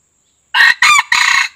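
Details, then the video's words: Red junglefowl, a white-eared jungle cock, used as a lure call: a short, hoarse crow in three clipped bursts, the final one drawn out slightly longer, with nothing else audible. "Suara pikat ayam hutan kuping putih"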